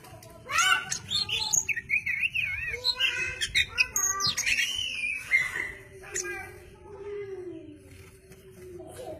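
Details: Oriental magpie-robin pouring out a fast medley of whistles, warbles and chirps, some wavering, some rising steeply, with a human voice in the background and a steady low hum.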